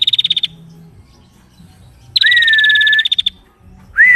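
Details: Female prinia in vigorous song for training birds: a clicking trill ends, then after a pause a rising whistled note held level beneath a buzzy rattle, and another whistle begins.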